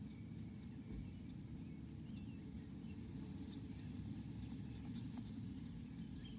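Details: Inside a black-capped chickadee nest in America, high-pitched squeaks repeat quickly and fairly evenly, some two dozen short notes, with a faint low rumble underneath throughout.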